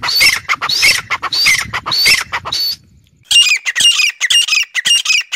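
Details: Calling sound for luring wild quail, rasping buzzy notes given in quick bursts, first with a low rumbling background, then cleaner after a brief pause, roughly two notes per second.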